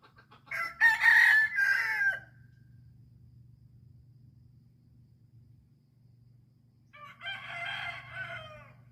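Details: Island chicken crowing twice: a loud, harsh, harmonic crow of under two seconds, then after a quiet pause filled with low hum, a second, fainter crow of similar length.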